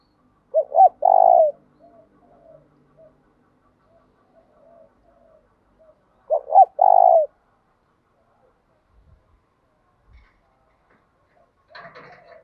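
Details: A 'thổ đồng' voice of the spotted dove, a call used to draw males into responding. Two loud phrases come six seconds apart, each a doubled short coo then a sustained coo, with soft, faint cooing between and a brief rustle near the end.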